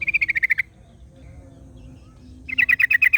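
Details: ['Yellow-vented Bulbul in the wild with another bulbul replying: a quick series of clipped, evenly spaced notes, a quiet gap with faint low hum, then another rapid burst of similar chirps.']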